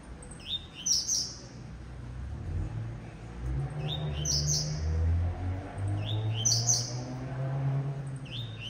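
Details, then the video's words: Breeder-kept blue-black grassquit delivering coleiro tuí-tuí style song: three thin rising notes capped by buzzy bursts, repeated roughly every two seconds, over a steady low humming background. "TIZIU CANTANDO COLEIRO TUÍ-TUÍ"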